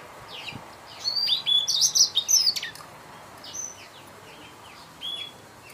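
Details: Young Blacktrout Somerini finch, kept by a breeder, giving a short cluster of clear, high chirps and downslurred whistles, then sparse single chirps over a steady background hiss.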